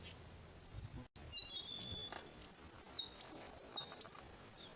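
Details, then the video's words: Inland Thornbill in Australia giving very high, thin chirps and short slurred whistles, scattered irregularly several times a second over a soft background hiss. "Inland Thornbill"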